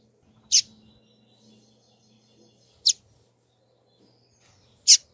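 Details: Rusty-collared seedeater female, a 'turbina' coleiro, calling: three clean, piercing high chips spaced about two seconds apart over a quiet background with a faint low hum.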